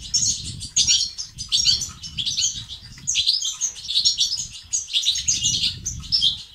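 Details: European goldfinch singing to encourage males to sing and become active: busy, high, jangling twitters in short phrases roughly every second, with buzzy notes and a low background rumble.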